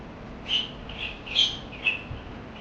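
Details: Parakeet sounds in a brief stretch: three or four clear whistled chirps, each short and high, spaced roughly half a second apart.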